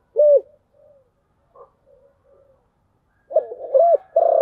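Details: Spotted dove in chiêu gù thổ voice: one clear coo, a few faint soft notes, then a new phrase of looping hollow coos that runs into a long held note as the recording ends.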